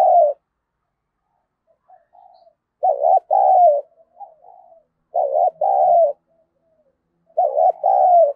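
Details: Spotted dove used as a decoy, calling to provoke fighting: paired hoots repeated roughly every two to three seconds, a quick wavering coo then a longer one, with quiet low murmured notes between phrases.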